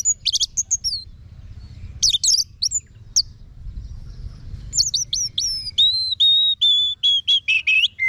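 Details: Anis merah song: scratchy twittering bursts, then a long series of clear, sharply inflected whistles repeated more than twice per second, some slurring downward, over a soft low background rumble.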